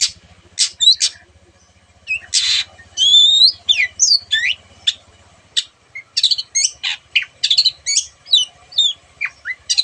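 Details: Long-tailed shrike pouring out mimicked song containing canary and other birds' notes; sharp high clicks, rasps and whistled slurs in quick runs, with a faint low hum in the background early on.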